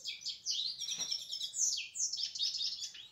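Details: Short burst of European goldfinch song: bright, jumbled tinkling twitters mixed with quick downward-slurred notes, delivered almost without a break.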